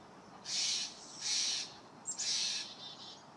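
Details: Juvenile Steller's jay gives its food-demanding call while being given peanuts: three harsh, raspy begging screeches, each about half a second long, spaced roughly a second apart.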